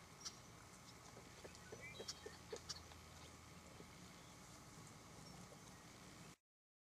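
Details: Yellow-headed blackbird at a wetland in William L. Finley National Wildlife Refuge, Oregon, giving scattered harsh clicks and scratchy, rasping notes, several in quick succession, over a steady low rumble of background noise.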